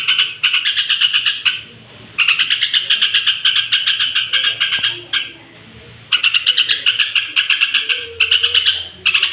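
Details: Straw-headed bulbul at bedtime, singing to raise the temper of other bulbuls; long bursts of rapid, bright chattering notes alternate with quiet gaps of about a second.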